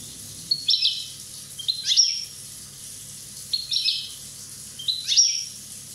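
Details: European goldfinch from Corsica, one year old, repeating bright, high, clipped phrases, each a stuttered note run ending in a rising-falling sweep, four phrases roughly every one and a half seconds, quiet low hum behind.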